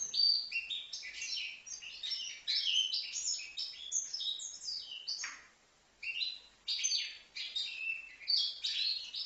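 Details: Young European goldfinch, five months old, from Livno, singing a fast, continuous jumble of twittering notes, buzzy trills and sharp high chirps, with a brief pause near the middle before the twittering resumes.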